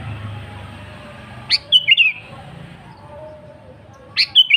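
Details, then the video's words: Sooty-headed bulbul (kutilang) in lively song used as a lure: a full phrase of an upswept note and three bright rolling whistles, then after two seconds another phrase begins, over low background hum. "Suara Burung KUTILANG GACOR AsliTanpa ISIAN 100% Ampuh Untuk Pancingan Kutilang Bahan."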